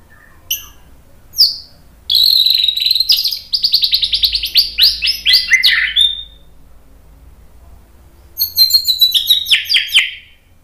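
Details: White-rumped shama song intended to provoke other birds to sing. It has bursts of very high, rapid chattering trills, then a long, fast run of thin, descending notes and a final high, rattling flourish, separated by short silences.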